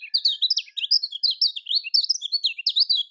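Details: Continuous fast twittering from a Lombok-style lemon-bellied white-eye (kecial kuning), used to stir silent birds into song: high, bright notes bouncing up and down in an unbroken, energetic chatter.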